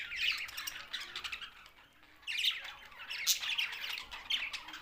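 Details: Budgie flock calls in Larkana, Sindh come in waves of raspy warbling and squeaky chirps, dropping nearly silent around two seconds before rising again.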